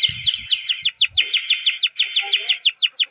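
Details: Singing canary in a long roll for stimulating other canaries: an even, rapid series of bright down-swept whistled notes, about four per second, over a steady buzzing undertone. Faint low thumps at the start.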